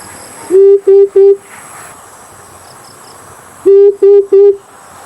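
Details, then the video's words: Deep, steady hoots of an Amethyst brown fruit dove, played as a lure for bird hunting, come in two sets of three evenly spaced notes about three seconds apart, over a faint high hum. "Amethyst brown fruit dove"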